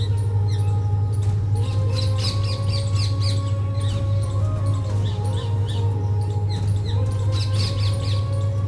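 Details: Rainy-weather parrot chatter: bursts of quick, harsh, high calls from several birds, pausing and resuming, set against a constant low hum and drawn-out tonal background sounds.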